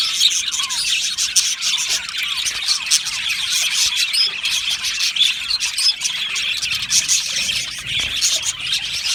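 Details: Australian budgie colony in an aviary, chirping and singing: rapid high warbles, squeaks and short whistled notes pour out nonstop from numerous birds together.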